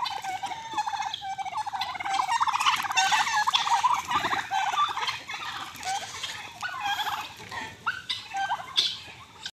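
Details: Domestic turkey gobbling near a red rooster: a fast, dense, rattling burst of bubbling notes that swells in the middle and then trails off in looser gurgles.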